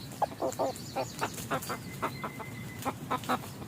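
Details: Clucking red junglefowl recorded while hunters decoy wild fowl in forest; a loose series of brief, throaty clucks, about two or three per second, with a thin steady high tone drawn out across the middle.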